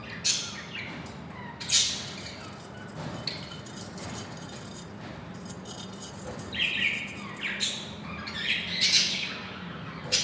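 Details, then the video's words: Two pairs of pet budgerigars: sharp, bright chirps sound in scattered bursts, a few close together near the start and a cluster toward the end, over a low background hum. "2st pair budgies"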